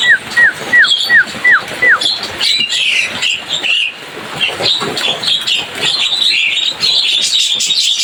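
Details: Jalak kebo, the Javan myna, opens with six quick, falling whistles in a row, then breaks into a long stretch of dense, harsh chatter and squeaky chirps that fills the rest of the recording.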